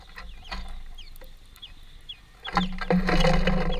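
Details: Greenfinches feeding as a family at a workplace utter spaced high downslurred calls, then louder broadband rattling and a low hum take over near the end.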